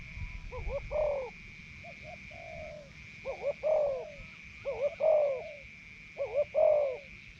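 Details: Spotted dove used as a hunting decoy in northeastern Thailand, just taken out of its breeding cage; four soft, low cooing phrases, each a quick double note and a longer falling coo, about every two seconds over a steady high insect-like drone.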